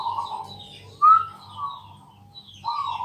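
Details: At night a Bangkok zebra dove sings to coax other doves into song: a brief mellow coo, a sharp rising whistled note, then a softer trailing tone and another short coo, over a faint low hum.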